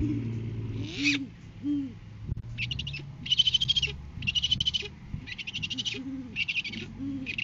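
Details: Great horned owl pair at a food-gift exchange in courting season, 7 January 2023, live cam; deep arched hoots run beneath repeated rasping, pulsed bursts of higher calls about once per second, with a brief rustle.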